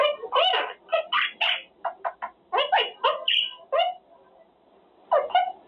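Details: Male Quaker parrot (monk parakeet), a pet practicing his words during cage time, saying phrases like good boy, pretty boy, baby and thank you. Clear, speech-like syllables in quick bursts with a short pause, then a final phrase, in a small quiet room.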